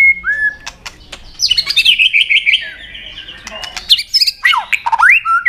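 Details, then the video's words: White-rumped shama in full song during a singing contest: varied whistled phrases and sweeping slurs, bursts of rich warbling notes and sharp upward-swept whistles, delivered in quick irregular succession. "Chòe lửa hót nhiều giọng rừng đảo liên tục.chòe lửa căng lửa hót đấu đập xoay"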